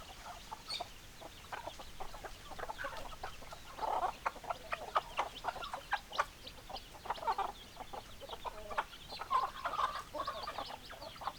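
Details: Chickens, hens clucking for over ten seconds: a constant bed of soft clucking from many birds with louder bursts of harsher cackles around the middle and near the close.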